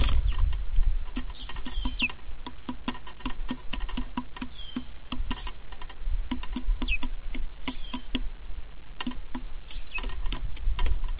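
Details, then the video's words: Starling sings a rambling mix of dry clicks, rattles and short slurred whistles, recognisably imitating songs of neighbouring birds, over a steady low rumble of wind or handling noise. "Estornino imitando cantos"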